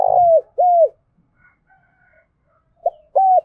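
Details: Spotted dove cooing, a recording used to spur wild and decoy doves into calling: two mellow, falling coos, a pause, then a short note and a flat coo starting the next phrase.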